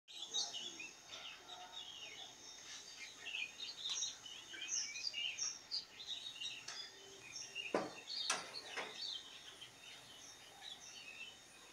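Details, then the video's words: Wild sooty-headed bulbul calling energetically in a short moringa tree, chattering in quick, bright bursts of short, high notes with a few sharp clicks over a steady outdoor hiss. "Kutilang Liar Gacor Ngeriwik"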